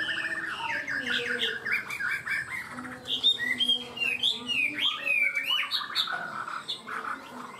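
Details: Chinese hwamei, a cage bird, delivering a varied, lively song in the 'hót cao cầu' manner, with mid-pitched warbled notes giving way to loud, looping, bright whistled phrases that change constantly.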